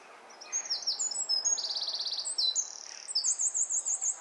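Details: Eurasian wren (jenny wren) singing in a garden beside its nest next to a house: loud, high, rapid song of sharp notes and fast buzzy trills, including a rattling trill in the middle and a rippling high trill at the end.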